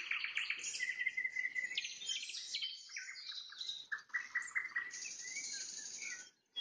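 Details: Nightingale trilling at sunset: fast repeated notes, a long steady whistle, buzzy high passages and rhythmic note series, fading into a short pause at the end.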